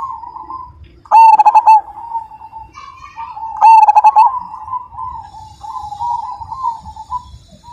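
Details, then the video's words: Majapahit-type zebra dove, praised as a frequent singer with a big voice: two loud phrases of quick, throbbing coo pulses about two and a half seconds apart, with softer doves cooing steadily behind. "Perkutut Majapahit Gacor Dan Ganteng, Suara Besar,Super Kung"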